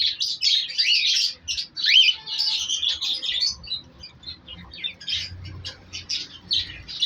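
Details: Cockatiels in a breeding cage, with eggs and chicks in winter, chatter with a dense stream of harsh, high squawks and chirps.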